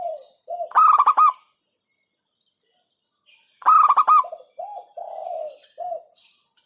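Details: Local zebra dove (perkutut lokal), hentakan style, said to provoke rivals: two loud bursts of quick stuttering coos three seconds apart, the second trailed by a run of softer, lower coo notes.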